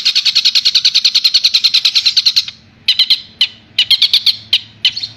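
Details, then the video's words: Long-tailed shrike of Madura on a songbird-training master recording: a fast, steady string of sharp high notes for over two seconds, then a pause and scattered bursts of two to four chattering notes. "Suara Masteran Burung Cendet Madura"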